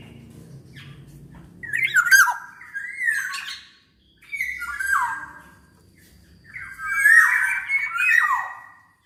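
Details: Black-naped oriole singing lively, used to encourage lazy orioles to join in: three bursts of mixed fluty whistles and harsh, chattering notes, each a second or two long, over faint low hum.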